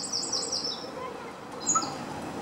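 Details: Eurasian wren in a garden singing a song fragment: a rapid, very high trill of tight notes, then a pause and a few sharp high notes, over steady background hiss.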